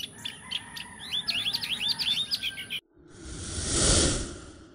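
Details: Quick run of bird chirps and upslurred tweets for nearly three seconds, then a sudden swelling rush of broad noise that takes over.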